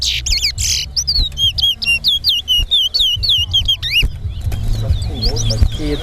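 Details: Caged chestnut-bellied seed finch, called towa towa, singing in a whistling competition in Linden, Guyana: a quick series of clear slurred whistles dropping and rising, with buzzy bursts, speech and music mixed in behind.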